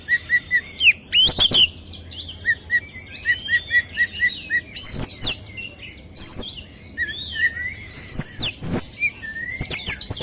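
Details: Melodious chirping from an Oriental magpie-robin (kacer) kept for song contests: a rapid run of repeated short whistled notes, then looping rising and falling whistles, with sharp percussive clicks cutting in.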